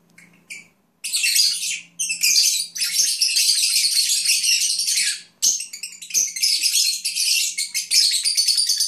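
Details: Lovebirds (Agapornis) kept as pets, chattering while napping: dense, scratchy high chirps and twitters in long bursts after a short quiet start with a faint low hum, in a small indoor room.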